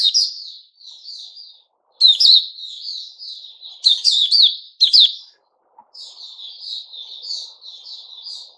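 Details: White-rumped shama singing, recorded 29 August 2021: loud bursts of sharp, slurred high whistles and chattering notes, separated by short pauses and softer trailing warbled phrases, with no other clear sounds.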